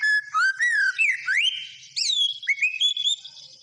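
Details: White-rumped shama in energetic full song: clear whistled phrases sliding up and down between low and high notes, with quick rising sweeps and short gaps between phrases.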